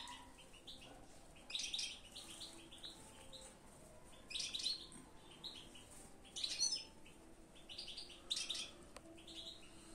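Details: European goldfinch singing: bright bursts of high, tinkling twitters, each lasting about half a second and coming every two seconds or so, over a steady low background hiss.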